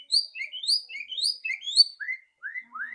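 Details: White-rumped shama, loud rattling song played to prompt a bird to sing quickly: a quick chain of high sweeping chirps, then three lower rising whistled slurs.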